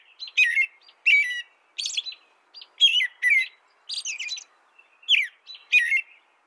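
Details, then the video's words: An American robin sings a run of separate whistled phrases, bright and slightly buzzy, rising and dropping in pitch, with short gaps between them in a quiet setting. "canto de robin americano AMERICAN ROBIN"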